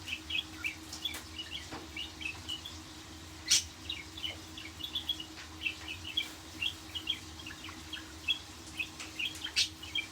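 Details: Budgerigar song: continuous soft chirping and twittering in quick succession, broken by a single sharp, loud click, with a low hum in the background.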